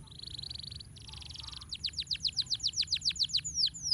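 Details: Master song of a canary for tutoring other birds: a buzzy rattling trill followed by a quick run of sharp downward-sweeping whistles, roughly four per second, fading into longer slurred notes.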